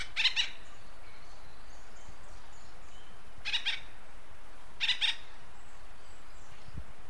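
An acorn woodpecker gives three harsh, nasal doubled calls, each a quick two-note burst, spaced a few seconds apart over a steady low rumble of wind.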